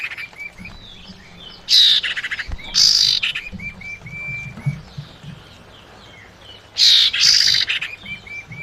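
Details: Common iora female calling to a male, a lure recording: short thin whistled notes between three loud, harsh, buzzy bursts, with quieter whistles running through the pauses.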